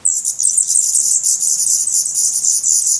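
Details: Black redstart (Phoenicurus ochruros) nestlings in their nest in Portugal, 17 May 2020, hungry, feathered and growing fast, beg for food in a constant, very high, hissing chorus of rapid overlapping chirps that never pauses.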